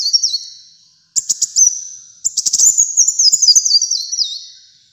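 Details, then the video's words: Kolibri muncang sunbird, kept caged for song training: short high whistles and quick rattles build into a long shrill twittering phrase with stepped notes dropping in pitch toward the end. "Kolibri Muncang Gacor Dor untuk Masteran dan Pikat Ampuh"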